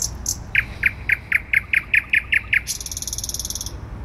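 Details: Thrush nightingale singing in central Warsaw, Poland, on 12 May 2020: a run of about ten sharp, evenly repeated notes at a quick pace, ending in a high, fast buzzy trill, with a low city hum underneath.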